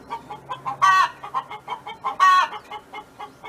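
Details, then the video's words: Hen from a neighbouring farm singing: soft clucks repeated a few times a second, with two long, loud, harmonic calls about a second and a half apart. "Chicken Hen Sound Effect"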